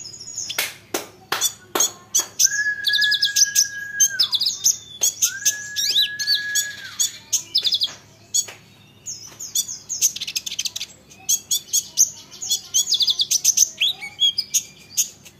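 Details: Olive-backed sunbird singing to prompt other sunbirds to reply: sharp high chips and fast twittered trills alternating with long, level, lower whistles that drop away at the end, repeated twice.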